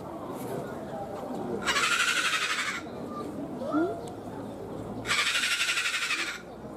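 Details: Sulphur-crested cockatoo in Ueno Zoo, Tokyo, Japan, letting out two drawn-out, rasping shrieks a few seconds apart, with faint human voices and crowd murmur between them.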